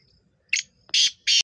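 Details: Black francolin recorded on 23 September 2023: three short harsh, grating bursts in quick succession, the first brief and the last two louder and longer, spaced under half a second apart, with quiet background.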